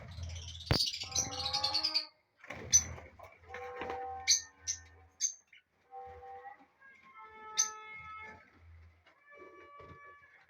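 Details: Lovebirds in a colony chirping: a burst of harsh, buzzy calls at the start, then sharp high chirps and clipped harmonic notes with short gaps, ending in drawn-out tonal calls; faint low rumble beneath.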